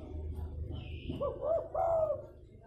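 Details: Spotted dove (tekukur) fighting-lure call used to draw wild doves down: three soft, low, hollow coos in quick succession, each swelling then dipping, over a steady low rumble.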